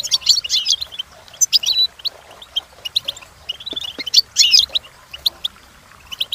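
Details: European goldfinch song for training, a bright jangling twitter in loud bursts at the start, near two seconds and around four seconds, with sparser single chirps between.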